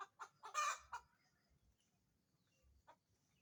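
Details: Laying chicken utters a few quick clucks and a loud, grating squawk, then goes mostly quiet apart from one faint later cluck.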